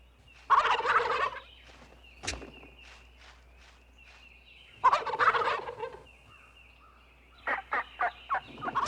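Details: Tom turkeys on the strutting ground at dawn, during weeks-long mating ceremonies in the Ozark Mountains in spring, give two loud, rapid, rattling gobbles a few seconds apart, then a run of sharp clicking pulses and a faint thin whistle.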